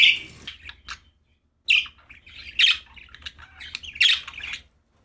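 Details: Happy pet budgerigars chattering, loud scratchy chirps mixed with quick warbling twitters in a lively run, quiet room otherwise.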